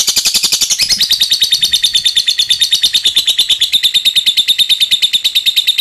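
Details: Lovebird delivering a long 'ngetik ngekek' performance, used as a lure to prompt other lovebirds to start chattering: a fast, unbroken run of sharp, high metallic notes that first descend slightly, then settle into an evenly pulsing chatter.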